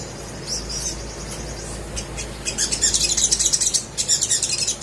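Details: Crimson sunbird song for encouraging silent birds to sing: a few thin high notes, then a burst of fast, shrill, chattering twitter in the second half.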